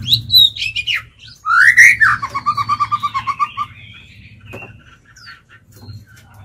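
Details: Lure-bird white-rumped shama singing to draw in and challenge wild birds: a high whistle, then a rising swoop into a rapid even series of repeated notes, with faint warbling afterward and a low background hum.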